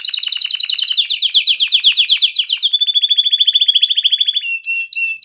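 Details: Canary song: a loud fast buzzy trill, descending slightly, then a steadier whistled rolling trill ending with a few separate sharp notes.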